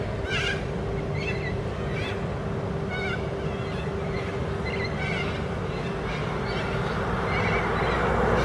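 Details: Corellas playing and swinging from wires on a busy road verge give harsh, scratchy screeches in short bursts, roughly one or two a second, over a steady low hum and rumbling traffic-like background noise.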